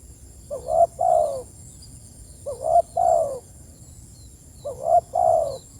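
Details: Spotted dove calling its companions with three evenly spaced low two-note coos, a short upslurred note then a fuller descending coo, about two seconds apart over a steady high tone.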